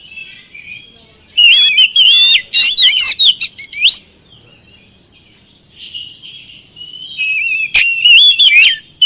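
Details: Oriental magpie-robin singing as a lure for quiet birds. A dense burst of loud whistles and chirps runs for about two and a half seconds, then a near-silent gap with soft warbling, then more bright whistled phrases and a sharp click.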